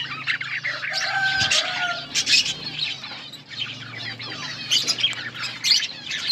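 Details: Colony of budgerigars eating, producing a steady mass of high chirps and warbled chatter, brief whistled tones, and a low background hum.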